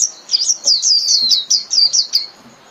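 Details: A fast, continuous warble of high, bright whistled notes, each slurring downward, from a white-eye calling the flock, running for about two seconds before stopping.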